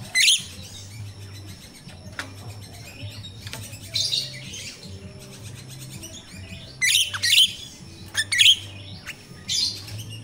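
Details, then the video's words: Myna (jalak rio-rio) in a natural recording used to lure captive birds in training: scattered bursts of harsh, buzzy, high-pitched notes with short whistled squeaks, in clusters several seconds apart over a low steady hum. "Suara jalak Rio-Rio asli alam// pancingan untuk jalak Rio-Rio bahan"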